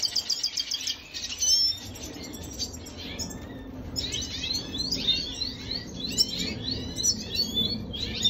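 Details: Venezuelan red siskin song recorded 25 June 2022: rapid high twittering with thin rising and falling whistles, continuous chattering phrases, a low steady hum beneath.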